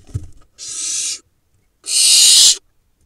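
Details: Young barn owls in a monitored nest box in Israel's Hula Valley, July, playing and pouncing: two rough, noisy hissing screeches under a second each, separated by a short silence, with a soft knock at the start.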